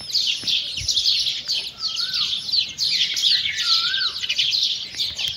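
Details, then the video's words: Chicks feeding beside a mother hen: unbroken high, thin peeping chorus with two smooth rising-falling mid-pitched calls and faint low thumps. "Chickens and chicks eating sound🐓🐔🌹|birds sound|mother hen with chicks"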